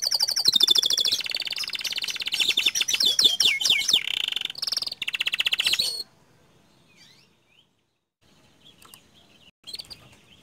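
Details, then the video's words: Panda canary in lively rolling song: dense rapid trills and repeated downward-sweeping whistles for six seconds, then near silence broken by faint chirps and a short burst at the end. "Suara Kicau Kenari PANDA Gacor Ngerol Nembak Panjang"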